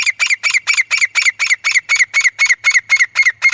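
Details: Desi teetar, grey francolin, gives a steady run of loud, harsh, grating notes at about four per second, evenly spaced, with no other sounds; hunters play this call to attract other francolins.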